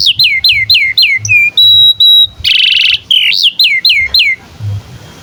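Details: Canary singing as tutor audio for young canaries and birds that have stopped singing: repeated high downward-slurred notes, brief flat whistles, one harsh buzzy burst, more falling notes, then quiet hiss.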